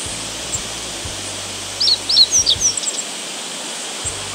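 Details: A Meadow Bunting sings only about 2 to 3 m away on an 8 August walk in northern Harima, Hyogo, Japan: a quick, high-pitched phrase of thin, sweeping notes lasting about a second, over steady rushing background hiss and a low hum.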